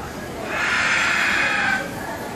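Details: A Moluccan cockatoo, one of several at Jurong Bird Park on 13 February 2014, gives one long, harsh, rasping screech lasting about a second and a half, with a faint murmur of background noise around it.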